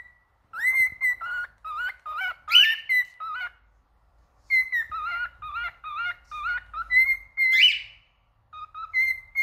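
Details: Whistled song from a male cockatiel: quick bursts of stepped and bouncing notes, a loud rising warble, and a second similar flourish after a short gap. The background is quiet.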